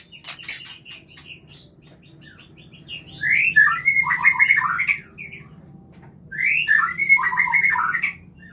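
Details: White-rumped shama (murai) in breeding condition, singing clearly as a lure to stimulate mating: after a burst of sharp noise, two bright warbled phrases of quick rising and falling notes, over a steady low hum.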